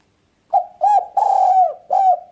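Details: Spotted dove coo for luring birds: a single clear phrase of four mellow notes, two brief arched coos, one extended coo, and a final shorter one, with no other sounds.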